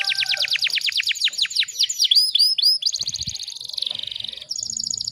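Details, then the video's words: Canary delivering a rapid tutoring song: quick descending whistled sweeps, a few ringing upswept notes, then a shimmering high trill and a buzzy rattle, with faint low rumbles. "MASTERAN KENARI FULL TEMBAKAN RAPAT"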